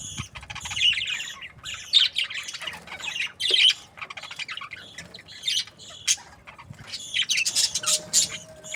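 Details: Breeding pairs of budgerigars, described as happy, produce dense overlapping chatter of buzzy squawks, short sharp chirps and warbling notes in uneven bursts, several birds calling at once.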